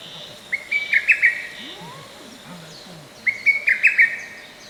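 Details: Lesser cuckoo singing in a forest park on 15 May 2024; the spacing between songs was partly edited. Two loud, whistled phrases of five or six quick, staccato notes, each about a second long and roughly two seconds apart, over faint background noise and distant chirps.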